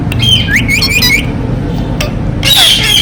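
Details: Ringneck parrot, a pet bird, giving harsh squawks and sliding whistled notes, with a loud broadband screech near the end over a steady low hum of background noise.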